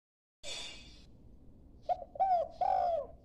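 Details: A young dove learning to call gives three short, low, arched coo notes in the last second and a half, after a burst of hissy noise at the start.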